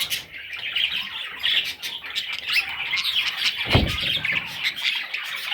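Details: Budgerigar chicks in a dense, unbroken chorus of high, raspy chattering and squeaks, with a brief low thump near the middle.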